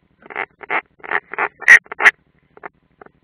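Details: Unringed European roller at its nest, Ādaži, Latvia, June 2016, uttering a rapid run of rough, croaking rasps that build to two louder harsh notes, then fade into a few faint clicks.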